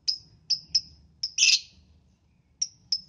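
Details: Lovebird in the morning, chirping to prompt other lovebirds to sing: three sharp high notes, a louder harsh burst, a short pause, then two more crisp chirps, over a soft low hum.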